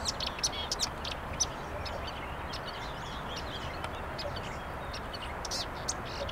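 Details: Marsh warbler singing beside the Vistula River on 23 May 2022: a rapid, busy stream of varied sharp chirps, clicks and short trills, set against a steady broad background rush of noise.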